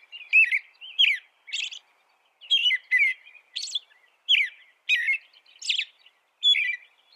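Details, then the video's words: American robin song mixing low whistled caroling phrases with thin, high squeaky notes, about ten phrases delivered steadily with short gaps; quiet background. "Suara burung american robin"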